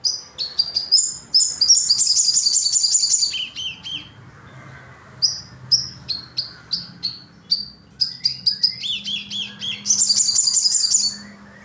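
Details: Crimson sunbird pouring out dense, very high, shrill chirps, then spaced, descending single notes, then another rapid sizzling burst, against a faint low hum.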